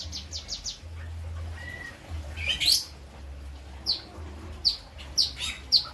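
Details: Lovebird from Krangkeng, West Java, with kapas tembak and citblek song fill-ins: a few quick high ticks, a thin flat whistle, then sharp downward-sliding chirps spaced about half a second apart, low hum behind.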